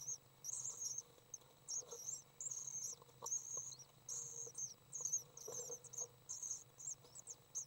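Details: Three young common swifts being fed on May 30th 2012 keep up a near-continuous shrill twitter of high chirps in bursts of about a second, with a constant low hum behind.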